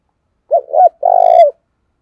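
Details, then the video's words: Decoy spotted dove luring wild doves with a full coo phrase: two short hooting notes followed by a sustained, buzzy, slightly falling coo lasting about half a second; quiet surroundings. "tiếng chim cu gáy thúc và gáy gọi hay, bổi nghe nhạy gáy"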